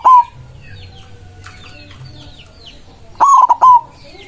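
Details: White zebra dove's rival-calling song: the tail of one coo, then a full phrase of quick stuttering pulses ending in a held coo, against light chirping of other birds.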